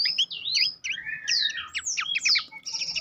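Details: Loud, bright Abbott's babbler song used as a master for training songbirds to compete: high sweeping whistles and down-slurred notes in quick succession, clear and close.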